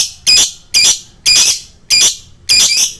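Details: Lovebird calls on a lure track for fighter birds: five loud, grating shrieks spaced roughly half a second apart, each harsh and high with a rough texture.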